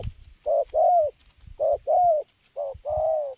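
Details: A spotted dove used in bird luring coos without pause. Three paired phrases: a brief soft coo, then a longer, slightly falling one, with faint low knocks between the phrases.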